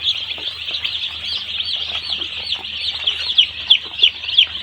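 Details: Day-old poultry farm chicks in a flock, peeping nonstop in high, slurred cheeps; several sharper, louder peeps stand out toward the end over a faint low hum.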